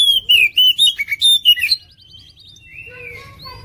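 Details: Competition oriental magpie-robin with a black breast, a 2021 national champion, delivering rapid varied whistles and slurred notes, then a quick buzzy rattle and fainter, wavering high phrases trailing off.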